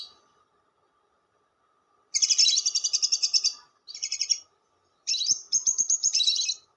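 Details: Lovebird long chatter used to lure lovebirds: a long high, buzzy pulsed rattle, then a shorter burst and another rattling series after brief gaps.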